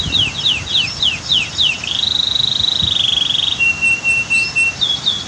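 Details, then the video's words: Canary singing with natural waterfall and dam sounds nearby: a run of quick downslurred notes, then a rapid buzzing rattle held for over a second, then a steady clear whistle and a few higher slurred notes. "Masteran Kicau KENARI Terbaru 2022"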